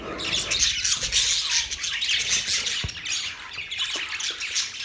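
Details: Parrots in a relaxing recording give rapid, harsh squawks and chirps, a dense high chatter running without pause, with a few faint clicks and taps underneath.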